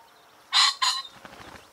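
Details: Common pheasant giving two loud, harsh, explosive notes in quick succession, followed by a short burst of rapid wing whirring against a quiet background.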